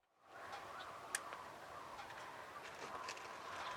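Yellow-headed blackbird giving harsh, rasping, buzzy calls over a steady grating wash of sound, with one sharp click partway through.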